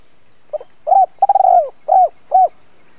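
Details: Spotted dove kept as a lure, calling in the thúc–gáy gọi style: faint hooted pickup notes, then a quavering drawn-out coo and two short, bowed hoots, deep and hollow, with nothing else audible.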